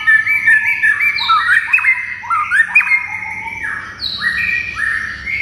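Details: White-rumped shama song meant to provoke other shamas to answer: fluid stepped whistles and scratchy notes in varied phrases, with longer sliding whistles toward the end.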